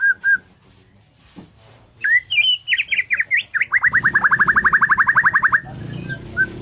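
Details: A Borneo white-rumped shama sings in the morning, with varied slurred whistles that run into a fast, even string of about twenty sharp down-swept notes, then a short pause and a final whistle.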